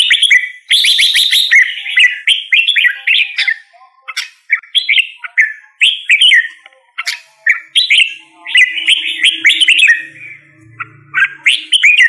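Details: Continuous singing by a red-whiskered bulbul: strings of mellow, rising and falling whistled phrases with brief gaps, and a faint low hum late on.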